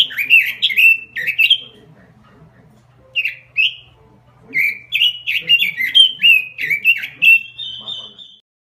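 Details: Gacor robin song: bursts of fast, chattering, slurred phrases with short pauses between them, ending in a thin, steady high whistle. A faint low hum sits in the background.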